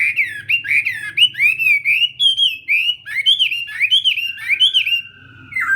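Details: Chinese hwamei in morning voice training for singing contests, pouring out a continuous chain of clear looping whistles, each note swinging up then down, closing with a long level whistle and a low drop; faint background hum.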